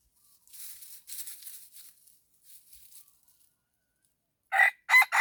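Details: Decoy red junglefowl crowing to draw in wild birds. Faint rustling is followed by two loud, rough crow notes at the end, the second one cut off.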